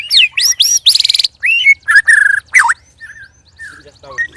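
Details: Sparring caged white-rumped shama, one of three, delivering loud odd phrases: high sweeping whistles, a fast buzzy rattle and a level trill. Softer scattered notes follow near the end.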